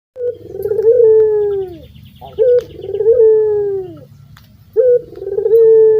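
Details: Local Indonesian Barbary dove, a prolific singer with a thick, very melodious voice, used to coax silent doves into singing: three songs, each a short upward-flicking note followed by a long, purring, slowly falling coo, about two seconds apart.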